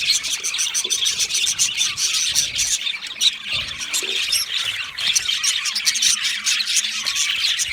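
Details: Budgerigars in an aviary keeping up a noisy chorus of scratchy squawks and high chirps, constant throughout, with soft low knocks underneath.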